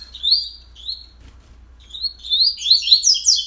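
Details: Coleiro song taped early on the morning of 31 October at 06:30: two clear whistled notes, a brief pause, then a rapid burst of sliding chirps climbing high.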